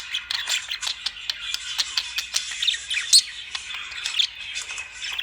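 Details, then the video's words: Lovebird calls as rapid, clicky, high chirps and squawks in quick succession, a busy twittering chatter with several louder sharp peaks and one brief piercing whistle. "Love birds sound"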